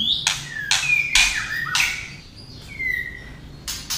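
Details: Female white-rumped shama song used to stir males: loud harsh rasping bursts alternate with sliding whistled notes that dip and level out, roughly four sounds per second, then a steady whistle and a final rasp.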